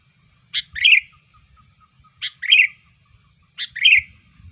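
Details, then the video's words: For luring bulbuls, a sooty-headed bulbul gives three evenly spaced double calls roughly every one and a half seconds. Each is a crisp note and then a rich, bubbling phrase. "SUARA PIKAT KUTILANG"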